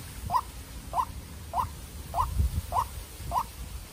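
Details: Young captive decoy white-breasted waterhen facing off against a wild bird in an intense fight. It gives six short, hoarse, mid-pitched notes, spaced about every 0.6 seconds, over a low rumbling background.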